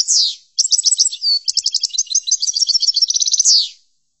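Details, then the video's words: European goldfinch singing for a training recording: brief downslurred note, then a long run of bright twittering notes and fast trills ending in a falling buzzy slur, nothing else audible. "لتحفيض الحسون chordonier"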